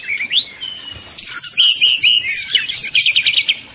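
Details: Brown-chested jungle flycatcher fluting song used as a fast lure to excite rival birds: a few clear, sliding whistles, then a fast, lively run of high fluted and twittering notes.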